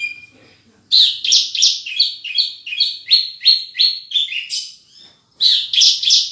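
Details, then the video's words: Horsfield's bush lark, full isian gacor singing: after a quiet start, a steady run of about three chirps per second, each note bright and slightly falling, then a short pause and a fresh burst. "Burung Branjangan Gacor full isian"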